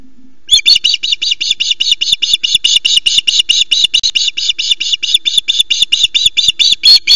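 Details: Osprey at the nest on a live nest camera at Loch Arkaig, during a very late first fish delivery as the female grabs the fish and flaps the male away: loud, sharp, piercing calls repeated rapidly, about four per second, after a brief low hum.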